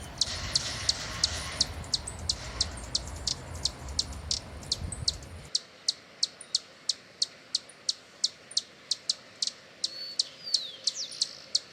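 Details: Hummingbird in Brazil giving a rapid series of sharp, high, thin chips, about three a second and fairly regular. A low rumbling background fills the first half, then drops away, leaving the chips clean.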